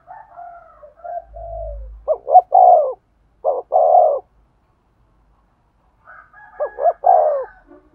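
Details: Spotted dove calling to provoke a male: soft, higher drawn tones lead into low phrases of two clipped notes and a long sliding coo, with a clipped double-note phrase in the middle and a pause before the last phrase.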